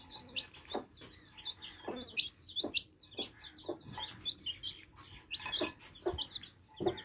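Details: Baby chicks drinking fresh water: many short high peeps and chirps overlap throughout, with sharp pecking or tapping clicks at intervals.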